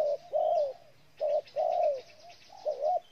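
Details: Spotted dove from Ninh Thuận, Vietnam: loud, mellow coos in pairs, a short note then a longer sliding coo, repeated about every second, with faint distant bird chirps in the background.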